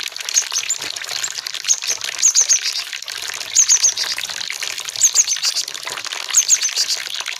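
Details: Cinereous tit lure song meant to get captive birds singing: very high, thin notes delivered in quick groups of three, each group repeated every second or so, over a constant background of running water.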